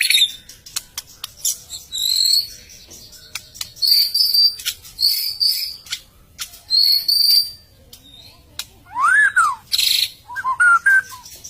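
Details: White-rumped shama singing with pure, high, drawn-out whistles separated by pauses. Later it gives lower, swooping notes that rise and then fall steeply, with sharp clicks scattered throughout.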